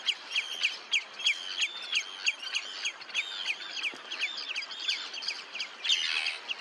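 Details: Red-necked phalaropes recorded at Olafsvik, Iceland, 15 June 2024, giving rapid chattering twitters, some notes slurred and arched, in an uneven run, with a short rush of noise near the end.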